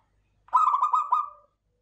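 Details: Local zebra dove, described as klowongan, giving one rapid cooing phrase of about a second: a string of quick, throaty pulsed notes at a steady pitch that trail off at the end, against a quiet background.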